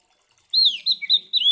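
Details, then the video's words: Oriental magpie-robin fighting song, meant to provoke other magpie-robins: a brief string of loud whistled slurs, falling then rising. "Suara Burung KACER GACOR Ngeplong TARUNG Konslet ini Paling Ampuh Buat Pancingan Kacer Biar Emosi"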